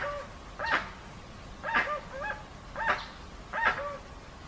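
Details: Dusky-legged guan, clean original recording: four fainter, hoarse honking notes roughly a second apart, each with a short nasal tonal tail, over quiet background hiss.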